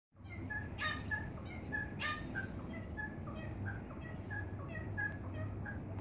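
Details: Wattlebird in Melbourne giving two loud, harsh, raspy bursts about a second apart, with softer repeated tonal notes from other birds and steady low hum in the background.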